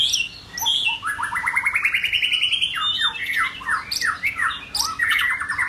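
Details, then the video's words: Song of a White-rumped shama in form building, opening with sharp whistles, then a long rising trill of rapid pulsed notes followed by a string of loud downslurred whistles. "White Rumped shama- form building"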